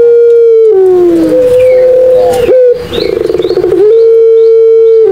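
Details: Cooing Barbary dove, Madura puter pelung, used as a lure for doves that refuse to call: a long, steady held note, a sliding drop, a rattling purr, then another sustained level coo.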